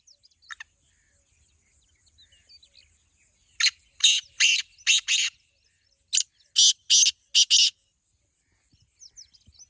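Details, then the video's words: Black francolin (kala teetar) from a two-bird calling contest, delivering two separate bursts of five harsh, scratchy notes each, a few seconds apart, with faint chirps and a steady high hiss behind. "Black Teetar Voice"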